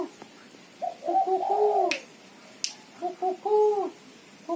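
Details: Female spotted dove chattering call used as a lure: soft low cooing notes in short groups, a quick stuttered series then a longer drawn coo, repeated after a pause, with two sharp clicks and faint indoor hiss.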